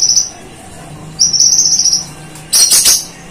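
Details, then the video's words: Vocal konin sunbird singing for master training, imitating cililin and golden grasshopper: a brief buzzy note, a longer high trill, then a harsh, noisy burst of rapid chattering. "Masteran Konin Gacor Full Nembak Cililin Dan Belalang Emas"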